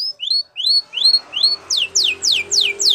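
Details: Spanish Timbrado canary training song from a yellow canary: a series of rising whistled upslurs, each about half a second apart, changing to steep falling sweeps repeated evenly, clear and high.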